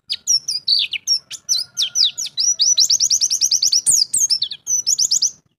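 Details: A Javan white-eye (pleci) pours out a fast, high, non-stop song of sweet whistles, sharp chips and rapid trills, with varied phrases tumbling together for several seconds.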